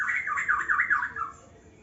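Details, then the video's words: Young white-rumped shama in an aviary giving a harsh, wavering chatter of five or six rapid warbled pulses that fade out after about a second. "murai muda aviary"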